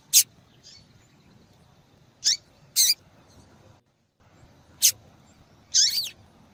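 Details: Calling female double-collared seedeater, whose call is used to draw males and prompt their singing; several short, high, piercing chip notes at irregular spacing, with the last one slightly longer and more complex.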